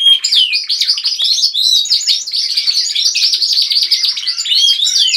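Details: Several pet canaries singing together indoors at home, a dense, continuous chorus of fast warbling trills, chirps and rolling notes overlapping throughout, with brief clear whistles near the start and end.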